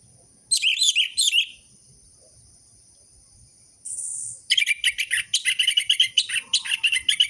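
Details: Captive orange-headed thrush used as a lure to stir silent, sluggish birds into singing: dense bursts of high chirping and trilled notes around 2–8k, a short phrase near the start, then a long rapid chattering run after a pause, with a steady faint high hiss.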